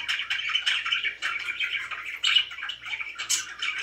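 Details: Very happy pet budgerigars chirping: a steady, dense chatter of buzzy warbled notes, scratchy and restless, with a faint low hum underneath and a bright squeaky note near the close.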